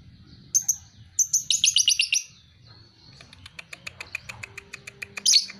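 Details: Lovebird two and a half months old, called a fighter. A pair of sharp chirps leads into a quick run of high rasping notes, followed by a softer ticking series and a final shrill squeak.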